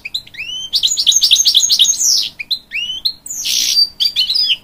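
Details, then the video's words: Singing to urge on young chicks, a hybrid goldfinch pours out quick chirping phrases of upswept whistles, a fast stuttering run, then a harsh buzzy burst followed by more bright twittering notes. "A Hybrid Goldfinch Sings To Encourage Young Chicks"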